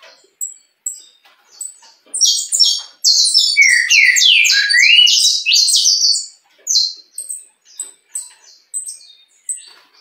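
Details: Mutation saffron finch, a captive bird praised as a good singer, giving scattered thin chips that build into a dense burst of sharp, descending notes in the middle, then trail off into sparse high chirps.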